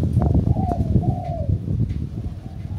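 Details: Spotted dove kept as a decoy bird, giving one soft, low cooing phrase that slides slightly downward, almost buried under a heavy low rumble of background noise.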